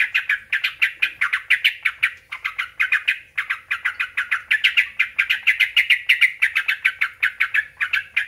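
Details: Sooty-headed bulbul song used to provoke other bulbuls into answering: a long run of rapid, repeated chirpy notes, several per second, with a brief break near three seconds, loud and clear with no other sounds.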